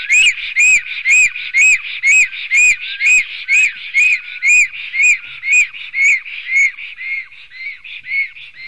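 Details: Black stork nest in Latvia's Sigulda municipality, 11 June 2020, 10:43 am, two males fighting: loud arched whistles with a sharp metallic top, repeated about every half second, easing after six seconds into softer, lower, fading whistles.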